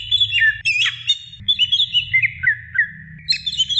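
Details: Calling to the male, a female greater green leafbird gives a jumble of sweet whistles and brief harsher notes, then short chirps sliding gradually downward, over a faint low hum.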